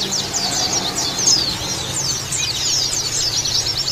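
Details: Oriental white-eye song used as therapy to prompt singing: lively high chirps and slurred whistled notes tumbling in quick succession, several voices at once, with a soft low hum.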